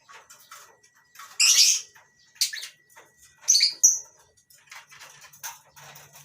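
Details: Morning in a small colony aviary of lovebirds, including masked and Fischer's birds kept for breeding; sharp, harsh squawks burst out irregularly among softer twittering, with short pauses between outbursts.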